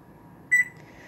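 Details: Relaxed pet bird indoors giving alarm-like beeping mimicry: one brief, sharp, pure electronic-sounding beep with bright overtones, fading into a faint steady room hum.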